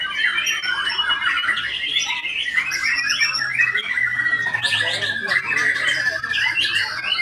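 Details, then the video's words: Singing white-rumped shama, a rich jumble of quick whistles, trills and clipped chirps, with a brief high buzzy burst near the middle and a faint low hum underneath. "IN ACTION MURAI BATU SAKTI"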